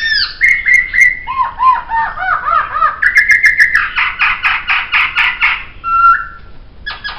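A laughingthrush sings a rich, varied run of loud whistles: slurred looping phrases, then a fast burst of harsh, repeated notes, ending in a clear whistle.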